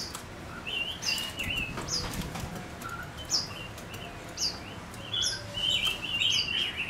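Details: Male Gouldian finch used as a decoy bird, singing: short high upslurred chirps repeated about twice a second, with lower buzzy notes mixed in, over a steady low background hiss.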